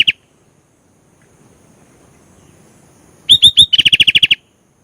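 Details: Energetic Sooty-headed bulbul: a single clipped note, a quiet gap, then a phrase of three upslurred whistles and a fast rattle-like run of about ten clear notes.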